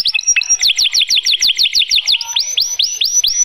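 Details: A male canary sings to stimulate females and teach young birds: a fast, bright trill of rapidly repeated high notes, then a slower series of sweeping, rising whistles.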